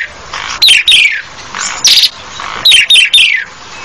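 Asian pied starling giving loud, harsh notes that slur downward, in three bursts: a pair, a single rasping note, then a quick run of three.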